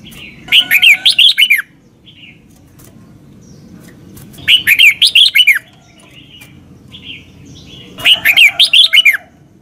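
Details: Red-whiskered bulbul performing doubled southern master-song, played so young birds can copy it. Three evenly spaced phrases, each a lively string of about seven looping whistles, with roughly three seconds between phrases and faint background hiss.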